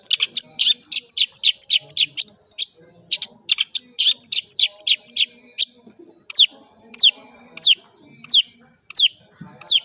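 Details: Singing male white-rumped shama, pentet fill-in style: a quick run of sharp chirping notes for six seconds, then slower clear downslurred whistles repeated roughly every half second, over a faint low background murmur.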